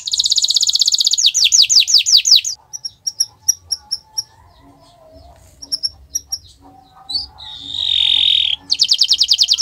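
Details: Canary on a Friday morning gives fast falling whistles, then scattered sharp high chips over a quiet gap, a drawn-out harsh buzzy note, and a final rapid trill.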